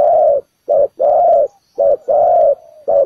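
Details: Low, rounded cooing from a spotted dove acting as trap bait on the ground, with a short note then a drawn-out falling coo, repeated quickly and closely.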